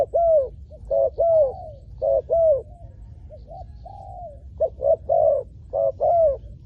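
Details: Decoy spotted dove calling to attract wild doves, with soft mellow coos in uneven groups, a few longer drawn-out notes mixed in between, and a quiet low hum underneath.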